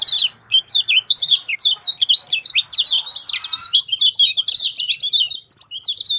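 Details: Lemon-bellied white-eye song meant to start a silent bird singing: a continuous, rapid, high-pitched jumble of chirps and squeaky zigzag notes, lively and unbroken throughout.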